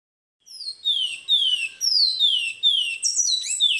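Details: A Large-billed Seed-Finch training song, the 'kiauw' part, of clear, high, descending whistled notes, about two per second, ending in a quick rising flourish, used to teach captive birds.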